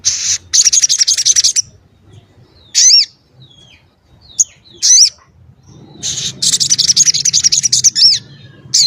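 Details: Crimson sunbird in lively song with its dense, sharp, varied delivery: a fast high trill, a series of separate sliding squeaks and chips, then another long rattling trill over a low hum.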